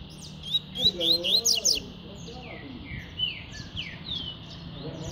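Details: Double-collared seedeater in tui-tui style song: a rapid string of bright high buzzy whistles, then scattered down-slurred notes, described as spirited and fast, with lower warbled sounds underneath.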